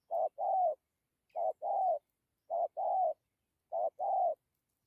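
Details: Spotted dove giving coos in the thổ, dặm and gù styles: four paired phrases, each a short low note then a longer wavering coo, spaced about every 1.2 seconds against a quiet background.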